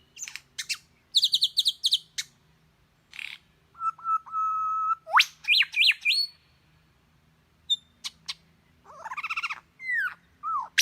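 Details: Bird mimicking the calls of other birds: varied sequence of high chip series, a flat steady whistle, rising slurred whistles and harsh rasping notes, each phrase in a different style with short gaps.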